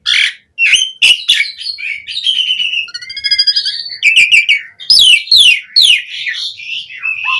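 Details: Asian pied starling lure song for training other starlings to sing: mixed chattering, buzzy trills and sliding whistles delivered almost continuously.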